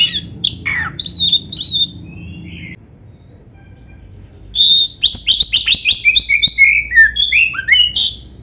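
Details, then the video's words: Black-breasted oriental magpie-robin tutor song meant to prompt caged birds to sing loudly: sweet whistled phrases and a falling slur, about two seconds of quiet, then a rapid run of varied chirps and whistles. "SUARA BURUNG KACER MASTERAN"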